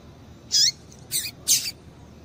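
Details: Female double-collared seedeater calling to stimulate male song: three rapid high, bright chirps in close succession, each brief and slightly slurred, with low hiss behind.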